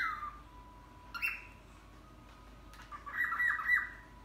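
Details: Talking pet cockatiel known for saying "Hare Krishna": a short whistled note, a brief squawk, then a burst of quick, chattery, warbled notes near the end, set against a faint steady background hum.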